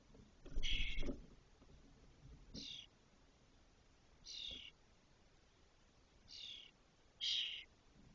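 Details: Spotless starling nestlings, six chicks about 22 days after hatching in a cork oak in Doñana, Spain, as the first leaves the nest: rasping high bursts repeated irregularly, with a loud rustling thump near the start.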